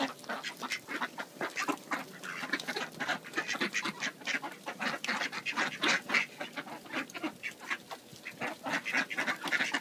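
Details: A group of hungry ducks quarrels in deep snow: dense, overlapping harsh quacks pour out nearly four times a second in an irregular, agitated chatter that continues throughout.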